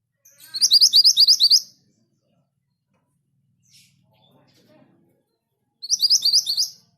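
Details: Orange minivet singing eagerly: two bursts of rapid, high, rising whistled notes, each about eight to ten notes long, separated by about four seconds of near silence with a faint click.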